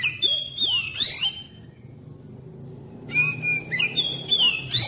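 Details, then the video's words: Lure song of an oriental magpie-robin, meant to trigger other magpie-robins into song: a loud whistled phrase with rising and falling slurs, a quiet gap of about one and a half seconds, then a busier burst of sweeping whistles. "Suara Pancingan Kacer Paling Ampuh Bikin Kacer Lain Cepat ON dan Nggacor"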